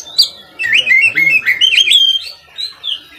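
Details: Oriental magpie-robin (kacer) singing a lively, varied song used as a master recording to train other kacer birds: rapid whistled and warbled phrases with sliding notes, quickly repeated, between short pauses.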